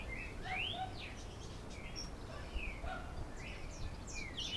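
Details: Diademed tanager in Canoas, Rio Grande do Sul, Brazil, singing a galloping song: a loose run of short, varied whistles and slurred upward notes, fairly high and evenly spaced, over a steady low background rumble.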